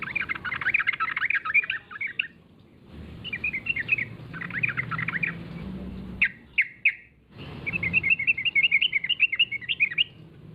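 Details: Yellow-vented bulbul calling as a lure so other bulbuls respond: several bursts of rapid, bubbly chatter and liquid warbling notes separated by short pauses, with a constant low hum underneath.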